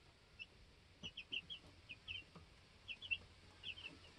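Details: Two-week-old baby chicks in a homestead coop, settling after being on guard; clear high cheeping notes repeated in quick pairs and little bursts across the recording, over a faint low hum.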